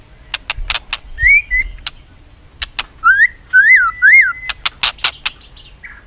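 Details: White-rumped shama in competitive song with continuous clicking and tail flicking: sharp clicks, then several clear arched whistles, some paired, followed by more loud clicks.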